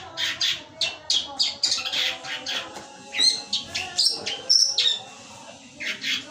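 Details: Long-tailed shrike kept for song contests delivering 'gereja petir' material: a fast series of raspy, buzzy chirps and a few piercing whistled notes, in bursts with short gaps, over six seconds.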